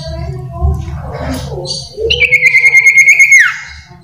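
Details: Common iora singing vigorously with varied phrases: after scattered soft chirps comes a loud, long whistled note with a fast trembling pulse, held level then sliding down at the end, over a steady low hum.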